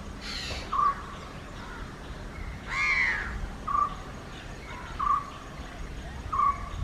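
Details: Indian grey hornbill pair giving short squealing notes every second or so, with a louder rising-falling call and rustling bursts from other sounds nearby.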